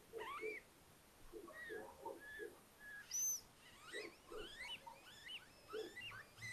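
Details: Little owls at a nest in a house attic at Tiszalök, Hungary, close to Hortobágy National Park, in May just after eggs hatched, four owlets together; many short, wavering, whistled notes mixed with low soft peeps and one thin high chirp.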